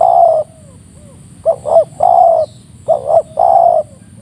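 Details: A wild spotted dove calls in the morning around 7 am at a coastal site in Regemuk hamlet during a trapping session: low, mellow coos in a broken phrase, two quick hooting notes then a longer drawn coo, repeated.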